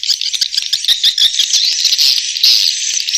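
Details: Swiftlets chattering in a dense, overlapping mass of high, buzzy twitters and squeaks, with no gaps.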